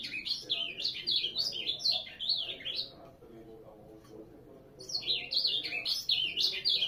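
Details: Ultramarine grosbeak giving two bursts of hurried, zigzagging warbled song, three seconds and about two seconds long, separated by a near-silent pause of almost two seconds.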